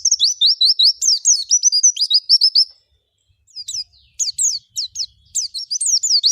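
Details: An Oriental white-eye (Zosterops palpebrosa) sings a rapid run of high, thin, slurred chirps, then pauses briefly before resuming with sharper twittering notes.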